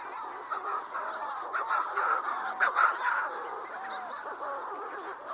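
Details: Manx shearwaters singing at night over a cape where they don't nest but come regularly to find partners and explore new territories: hoarse, crowing cackles in rough rising-and-falling phrases, overlapping almost without pause, eerie, like human or baby voices, over steady hiss.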